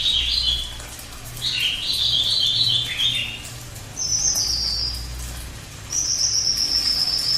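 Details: Cililin singing, a bird prized as a tutor for songbirds: short bright whistled phrases high in pitch, a jumbled cluster near the start, then two separate thin sustained whistles, over a faint low background hum.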